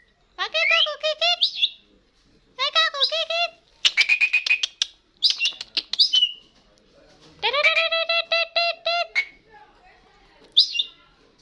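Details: Starling in full, lively song, giving bursts of harsh, rasping chattering notes with rich harmonics, separated by short pauses and mixed with a few higher squeaky calls.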